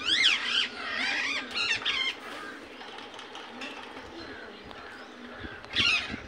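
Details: Indian ringneck parakeet in its natural voice: a burst of harsh, screechy squawks with stacked harmonics in the first two seconds, then a quieter stretch and one more sharp screech near the end, over faint background noise.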